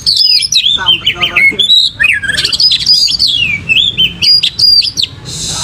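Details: Caged white-rumped shama, tail spread, giving rich warbled whistles that slide up and down, mixed with quick stuttered notes, closing in a burst of hiss.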